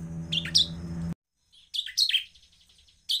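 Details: Ashy tailorbird singing actively, used as a lure to provoke other birds into calling, gives quick bursts of sharp, high chirps in short clusters; a low electrical hum runs under the first second.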